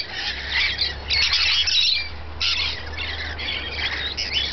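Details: Rainbow lorikeets feeding, chattering in a constant stream of harsh, high, screechy squawks, several birds overlapping, with a low hum underneath.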